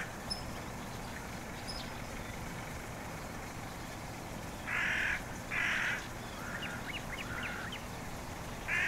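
A black-headed gull gives three harsh, grating screeches a second or so apart, with a few short sharp notes between, over a steady rushing background.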